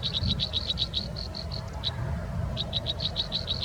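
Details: American robin babies in the nest as a parent feeds them: bursts of rapid, high, clipped chirps, a short lull, then another quick run, all over a constant low hum.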